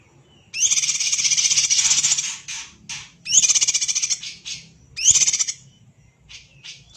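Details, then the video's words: Greater green leafbird (cucak ijo) in full, busy kacer-like song for songbird training: three loud, harsh, buzzy chattering bursts about two seconds apart, each trailing into softer rasping notes, with a faint low hum beneath. "Burung Cucak Ijo Gacor Suara rapet - cucak hijau Gacor rasa kacer |Masteran CUCAK IJO Juara"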